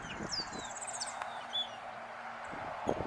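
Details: Grayish baywing (Agelaioides badius) song: a quick run of high, thin chirping notes lasting about a second, then a lone whistle, with soft knocks and thumps nearby.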